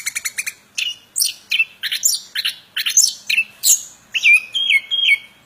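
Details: Plontang bird opening with a quick run of rapid ticking notes, then a rhythmic sequence of bright chirped phrases and a final wavering warbled whistle.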